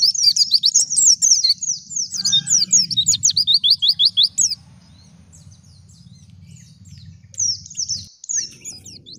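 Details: Wild white-eye singing vigorously, a call meant to lure and provoke other white-eyes into song: rapid high chirped and twittered notes in quick bursts, then a quieter gap before more thin sweeping phrases. A low hum runs underneath.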